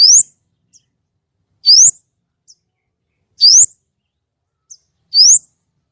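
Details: Loud white-rumped shama in 'nembak' singing, its voice described as clear: a bright rising whistle repeated about every 1.7 seconds, each followed by a faint soft note.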